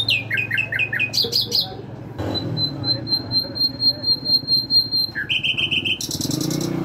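A nightingale sings varied phrases: slurred descending whistles, rapid pulsed bursts, a long run of pure repeated notes, then buzzy rattles, over a low indoor murmur.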